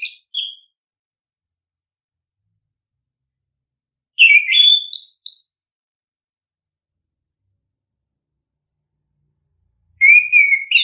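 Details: Song of the orange-headed thrush, used as a lure to get birds singing: short phrases of mixed warbled and whistled notes, including a climbing series of high whistles, spaced by long silent gaps of several seconds.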